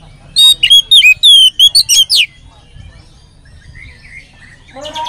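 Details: Oriental magpie-robin in full song, played as a lure to get other magpie-robins singing: a loud burst of clear whistles and slurred notes lasting almost two seconds, then soft, distant warbling, then a fresh burst of sharp notes at the end.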